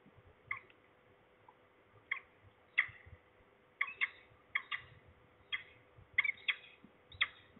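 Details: Near Trzebież, Poland, midday on 3 January 2023, a falcon gives harsh, sharp notes singly and in doubled bursts, roughly every second or so, with a steady faint hum beneath.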